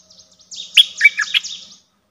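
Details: Streak-eared bulbul giving one short bubbly, chirpy phrase of quick slurred notes, with a thin, high buzzy trill running over it from another bird; quiet background.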